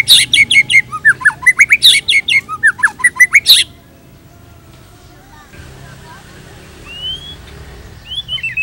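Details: White-rumped shama delivering rich pancingan tutoring song: dense loud clusters of sharp rising whistles and harsh chatter for over three seconds, a near-silent pause, then faint single rising whistles.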